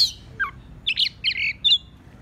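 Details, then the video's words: Oriental magpie-robin lure song used to trap birds by calling a rival: a quick run of varied phrases, with a falling whistle, scratchy buzzy bursts, then a clear high whistle, over a faint low hum. "Pikat Kacer Gacor Memanggil Lawan"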